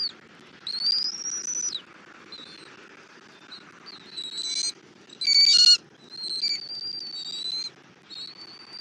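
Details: Bald eagles at a nest in Southwest Florida on a February morning, a male bringing a rabbit and the female feeding a chick: high thin whistled notes, some held and falling at the end, with short bursts of chittering.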